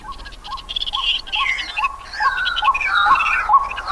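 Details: White-breasted waterhen in Pingtung County, Taiwan, on 31 December 2021, giving a steady run of short, hollow notes about twice a second, overlaid by louder, harsh, squawking calls.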